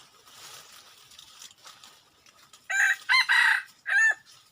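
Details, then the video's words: A wild red junglefowl cock gives a loud crow after a low murmur of background noise. Three harsh rasping pulses are followed by a short pause and a final drawn-out, falling note. "Tus Ntsuag lau qaib qus no qua ntxim tuaj kawg nawb"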